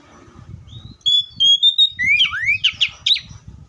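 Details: Oriental magpie-robin whistling a series of level, clear notes that give way to deep swooping slurs and quick chirps, over a steady low rumbling background.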